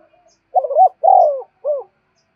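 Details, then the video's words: Close spotted dove coo meant to lure wild doves: a wavering opening note, a long descending coo, then a short final falling note, clean and loud. "cu gáy thúc bổi và gáy gọi cực đỉnh, tiếng chim cu gáy hay và nhạy bổi"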